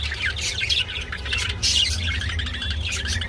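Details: Mating budgies make rapid chirps and scratchy squawks in short bursts, with a louder clustered squawk midway, over a constant low background hum.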